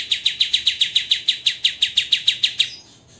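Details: White-rumped shama song from a master recording used to train songbirds, in the dense, harsh 'tembakan' style: a fast burst of about fifteen sharp, identical high chirps, roughly five per second, that stops abruptly and fades into quiet.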